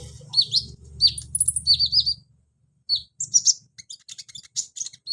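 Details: Sunbird (kolibri ninja) song meant to prompt a reluctant caged bird to sing: high, sharp chirps and short down-slurred whistles in quick bursts, then a pause and dense clicky notes, over a low hum at first.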